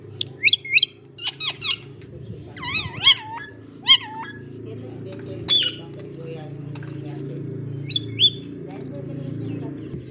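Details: Green parrot talking: bursts of short squawky, speech-like syllables in the first half, then scattered shrill notes, over a steady low hum of background noise.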